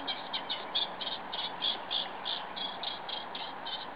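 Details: Windy-weather song of a Eurasian reed warbler: rhythmic, repetitive chattering, roughly four notes a second, some clearer and more ringing, set against continuous wind noise.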